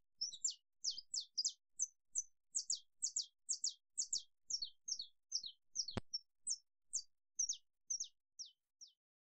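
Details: A saffron finch (Sicalis flaveola) sings a quick run of sharp, high chirps, several each second, with one loud click midway.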